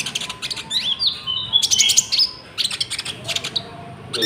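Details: Konin song from a lure for trapping and for training caged birds, cricket sounds included: high sliding whistles and rapid chattering twitters packed into quick clusters, about four notes a second.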